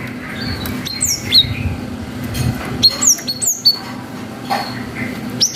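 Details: Javan munia, locally gelatik batu, in a long "wucit" song used as a lure to stir young birds into answering: sharp, high, downward-sweeping whistled notes in irregular bursts with soft chatter behind.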